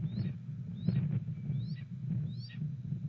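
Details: Red-tailed hawk calling on 31 March 2014 at 1:45 pm near Bradfield Hall, possibly to its mate perched nearby in strong wind: four short high upslurred notes dropping at the end, spaced under a second apart, over constant low wind rumble.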